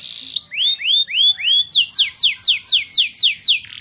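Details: A canary whose song includes white-eye material sings three clear rising whistled slurs, then switches to a quick run of about seven bright downward sweeps, roughly four per second.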